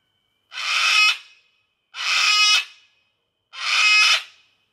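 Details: Sulphur-crested cockatoo, an Australian wild bird visiting a backyard for pizza, screeching to call in the flock to food: three loud, harsh, broadband screeches, each about half a second long, spaced roughly every one and a half seconds.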